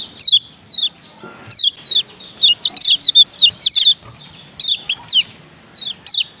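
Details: Male kecial kuning, the lemon-bellied white-eye from Lombok, uttering high, slurred chirps, first spaced singly, then a fast rattling run of repeated notes, then spaced chirps again.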